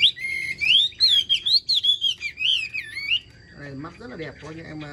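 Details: Caged Chinese hwamei pouring out a three-second run of loud, swooping whistled notes, each slurring up and down in a rolling rhythm, followed by a lower, rougher voice as the song stops.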